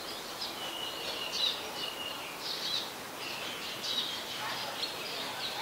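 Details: Brown-throated sunbird (Anthreptes malacensis) in Ubon Ratchathani, Thailand, on 5 February 2020, giving high, thin chips and short twittering phrases, repeated roughly every second over a steady hiss of background noise.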